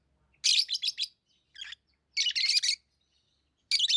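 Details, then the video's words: Pet lovebirds giving rapid strings of shrill, grating chirps: a fast run of four or five notes, a softer single note, then a long dense burst and another starting. "Love birds Sounds | lovebirds chirping sounds| parrot beautiful sounds"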